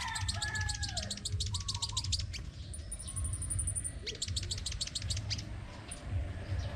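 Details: Crimson sunbird competing in song in Đồng Nai province, Vietnam: long runs of evenly spaced, very high pulsed notes like a fast stutter, a thin sustained trill between runs, over constant low rumble.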